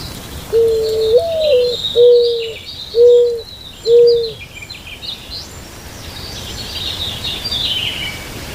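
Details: At sunrise in California, a white-winged dove gives a hooting coo of five low notes: a longer rising first note, then even hoots about a second apart, over chattering songbirds.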